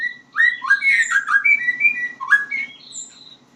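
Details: White-rumped shama learning to sing, giving a varied run of clear whistled phrases, rising and falling slurs between low and high notes with brief chirps, against a faint low hum.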